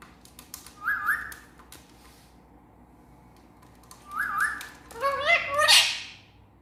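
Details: Pet talking parrot repeats a wavering whistled phrase twice, then breaks into a loud, voice-like run of harmonic syllables sliding upward into a rough, noisy ending; faint clicks in between.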